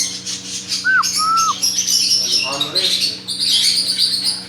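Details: Parrot calls: two clear whistled notes, the first curving up and down, then dense buzzy chirping and chatter over a constant low electrical hum.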